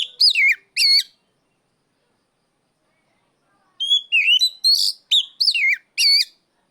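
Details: Oriental magpie-robin, a kept bird, calling out a rival in the loud ngeplong style: clear whistled notes with sharp up-and-down inflections, two notes, a pause of nearly three seconds, then a rapid burst of seven or so varied whistles.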